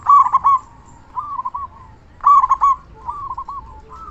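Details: Local zebra dove with a loud, big voice, used as a lure to make other zebra doves answer: two bursts of rapid, rolling coos near one kilohertz, each followed by softer trilled phrases, about two seconds apart.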